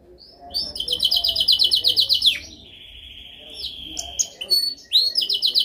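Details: Training song of a canary: a fast rolling trill of bright repeated notes, then a long steady whistled tone, followed by a few sharp separate chirps and another burst of rapid notes.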